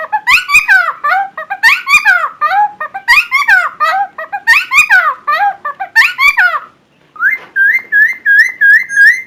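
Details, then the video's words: Helmeted friarbird, loud and distinctive, recorded to train other songbirds: grouped bursts of jumbled, gurgling whistles every second or so, then after a short pause a steady series of clear, curling whistled notes. "KICAU GACOR CUCAK TIMOR MANTAP BUAT MASTERAN"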